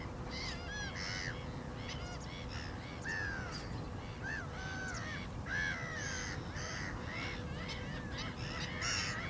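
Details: Black-winged stilts yelping almost without pause. Overlapping nasal, downslurred notes suggest several birds calling together over a steady low hum.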